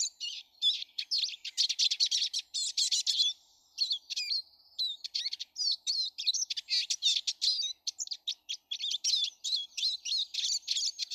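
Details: Many Eurasian siskins visiting a garden every day on 19 March: busy, sustained twittering chorus of rapid buzzy trills, chirps and rising whistles, a brief drawn-out wheeze near the middle, notes packed closely throughout.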